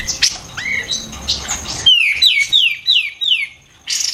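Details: White-eared bulbul lure song for songbirds: a rising whistle and scattered chirps, then a series of five loud, sharp notes sweeping down from high to lower pitch, about every half second, ending in a noisy burst.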